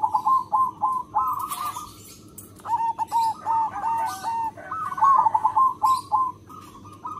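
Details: Local zebra dove in full, frequent song with a big voice, used as a lure to draw in other zebra doves: bursts of quick staccato cooing notes, rolling and stuttered, separated by short pauses.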